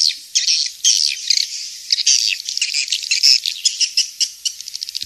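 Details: Swiftlet chorus with long buzzy high twitters that break into a quick run of sharp clicking chirps toward the end.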